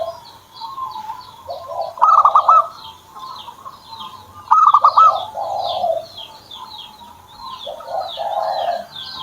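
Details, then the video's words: Pet zebra dove starting to sing: two bursts of quick stuttering notes, each running into lower, rolling coos. Thin high chirps from other birds continue throughout. "PERKUTUT SAYA JADI MAU BUNYI"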